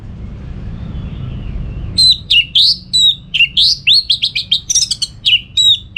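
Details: Orange-headed thrush in vigorous song for training contest birds: after two seconds of quiet, a dense, fast stream of varied whistles, slurs and ringing chirps tumbling in rapid succession.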